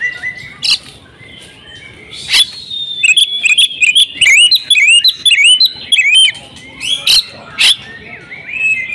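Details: Kept female oriental magpie-robin in full, insistent song packed with imitated phrases; a fast series of bright looping whistles and sharp chips, with occasional high clicks between bursts.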